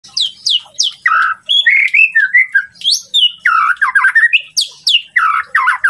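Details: White-rumped shama song meant to provoke a rival's temper: loud, rapid phrases of steeply falling high whistles, then burry, slurred mid-pitched notes in quick bursts, densely packed throughout.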